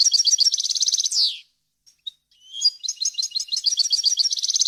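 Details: Varied European goldfinch song, clean and intended for tutoring chicks and hybrids: a rapid even trill ending in a falling buzz, brief pause with scattered chips, then a renewed stream of high twittering trills.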